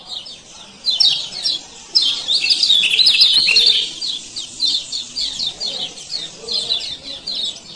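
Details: Male lemon-bellied white-eye (kecial kuning) from Lombok giving 'ciak ciak' calls, used as a lure to get silent birds singing again; rapid high, thin chirps in dense bursts, loudest around two to four seconds, with faint background murmur.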